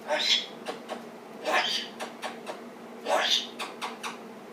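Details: Cockatoo left alone indoors for a couple of minutes with the door open while its owner is outside. Three harsh, rising squawking bursts come about every one and a half seconds, with soft clicks and short scratchy notes between them.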